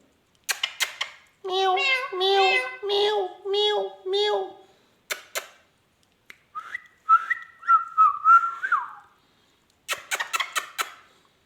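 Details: Talking rose-ringed parakeet mimicking a cat: a string of nasal, harmonic meow-like notes, then wavering whistles and clicking taps.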